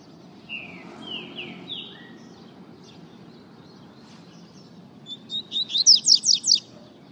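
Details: Double-collared seedeater singing: three slurred, descending whistles in the first two seconds, a pause with soft faint notes, then a burst of about seven loud, sharp, rapidly repeated high notes; steady low background hum throughout.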